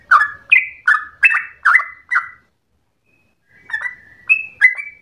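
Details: Trucukan, the yellow-vented bulbul, singing long vigorous rolling phrases compared to straw-headed bulbul song; six loud slurred whistles, a pause of over a second, then the bright high and low whistles resume.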